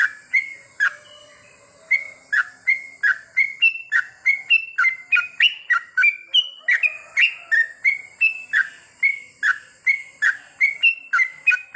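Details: Sooty-headed bulbul singing at night, therapy to help birds sing long goklik: extended series of liquid, chirpy whistles alternating higher and lower notes, about three per second after a short pause near the start, with a faint constant whine.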